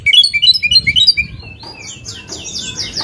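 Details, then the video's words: Oriental magpie-robin song meant to provoke a rival: a rapid run of short, bright whistled notes, then a softer series of downslurred high notes. "KACER GACOR BIKIN EMOSI LAWAN,PANCINGAN KACER EMOSI BIAR NGOBRA"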